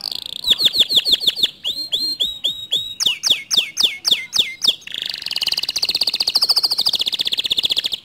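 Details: Canary song to wake a reluctant canary's singing: rapid sweeping chips in quick bursts, several rising and falling phrases, then a long dense buzzing high trill.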